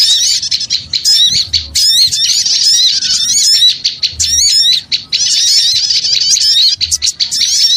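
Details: Noisy lure recording of small birds: a dense chorus of high, rapid chirps and wavering trills, overlapping without pause, broken by brief dips roughly every second.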